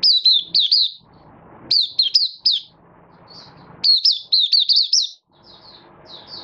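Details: Caged Malaysian oriental white-eye building form during a minor moult, 24 August 2023, giving its opening song: repeated short volleys of shrill, sliding whistles, about four per volley, with softer chirps between.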